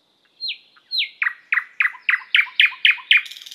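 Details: A thrush nightingale delivers two clear descending whistles, then an accelerating series of loud, sharp, downward-sweeping notes about four per second, ending in a buzzy rattle.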